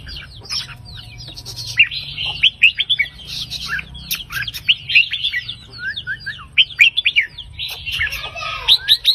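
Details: Counted-phrase line Red-whiskered bulbul, 3-4-5 phrase song to rouse listening birds: steady stream of crisp, rapid whistled notes rising and dropping, with many overlapping chirps and a low background rumble.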